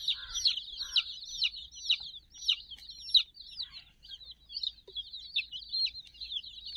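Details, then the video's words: Sixty fluffy domestic chicks at play beside a teddy puppy; loud down-slurred peeps ring out about twice a second over a continuous softer peeping background and faint low rumble. "silly chicks chirping"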